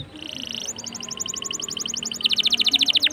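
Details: Canary song used to get other canaries singing: fast trills of rapidly repeated high notes, first a steady rolling trill, then a louder, quicker, more emphatic trill, over a faint steady background hiss.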